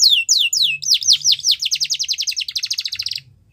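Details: Yorkshire canary singing for young canaries in training, a few slow falling whistles followed by a quickening run of short repeated notes that fades out.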